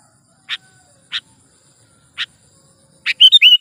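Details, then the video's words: Sooty-headed bulbul (kutilang) calling actively, a sound used to lure birds for trapping and to tutor captive singers: three evenly spaced dry chips, then a rapid burst of liquid whistled notes at the end. "suara burung KUTILANG GACOR"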